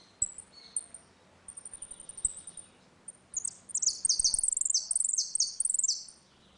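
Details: In a singing dispute, a saffron finch delivers its ringing 'retinido' song, played for teaching young birds: a chain of short high chirps building into a loud rhythmic series of descending slurred notes.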